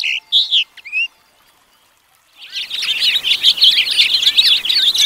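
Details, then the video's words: A house finch sings: a few short chirps, a brief pause, then a long, fast, jumbled warble of bright high notes. "The Wonderful House Finch Song - Carpadaco Doméstico - Roselin du Mexique"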